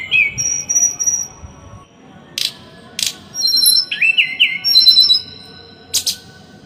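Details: Small bird singing, used as training song for cage birds: high clear whistled notes and a rising slurred phrase, mixed with sharp clicks and steady background hiss.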